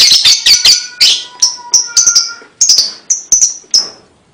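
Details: Lovebird voice, its high chirps used to prompt young birds: an opening cluster of harsh, rapid notes gives way to spaced, clear, piercing chirps fading toward the end.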